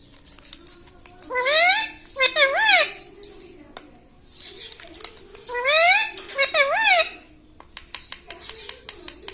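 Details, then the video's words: Pet talking parrot indoors, said to repeat "mitthu" and "mummy": two bursts of loud, nasal, wavering word-like phrases with rising and falling bends, separated by a quiet pause, with faint clicks and room noise. "Talking parrot - Mitthu mitthu - Mummy Bolne Wala Tota"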